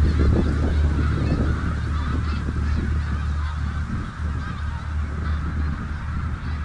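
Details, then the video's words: Snow geese gathered on the Richelieu River produce a loud, unbroken chorus of honking and yelping calls from many birds at once, over steady low-pitched rumble. "Snow greese on Richelieu r"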